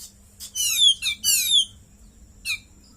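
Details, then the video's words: Caged White-rumped shama (kacer) with a cililin-style fill, delivering two loud bursts of descending, harmonic-rich buzzy notes, then a single shorter falling note after a brief pause. "KACER GACOR,ISIAN CILILIN"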